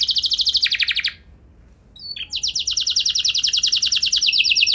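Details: Canary singing as a training lure for other canaries: a rapid trill that drops in pitch, a pause, a brief whistled note, then a long fast rolling trill of repeated notes.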